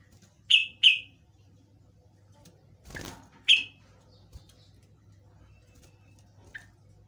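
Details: Yellow-vented bulbul lure song used to make other birds reply: a quick doubled pair of sharp, falling chirps, a dull thump, then a single chirp and a faint short note, with a steady low hum beneath.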